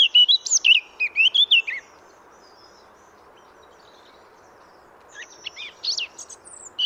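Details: A wild Eurasian blackcap recorded in France delivers a rapid scratchy warble of some ten notes, falls silent for about three seconds, then starts another quicker twittering phrase.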